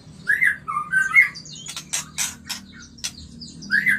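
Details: White-rumped shama mating song, used to stimulate breeding; clear whistled phrases alternate with a burst of harsh, broad rasping notes in the middle, whistles resuming at the end.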